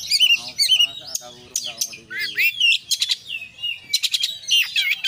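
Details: Oriental magpie-robin singing 'konslet full isian'. Harsh, rasping notes give way to bright whistled slides and quick rattling trills, then crisp repeated chips near the end.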